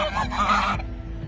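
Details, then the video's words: A domestic goose on a small farm gives a single loud, harsh, nasal honk lasting most of a second, followed by quiet background hum. "SOM DE GANSO GANSO DOMESTICO"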